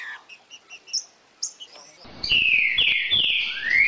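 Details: Green-winged saltator singing, played to get a captive bird singing: after faint high chirps, loud rich whistles arrive, several broad falling slurs and a final rising one, sustained for nearly two seconds.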